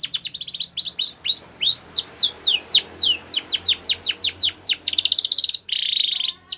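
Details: White Spanish Timbrado canary singing a training song for young canaries: fast trilled bursts give way to a run of sharp descending whistled sweeps, then a rapid buzzy rolling trill near the end, clean and continuous.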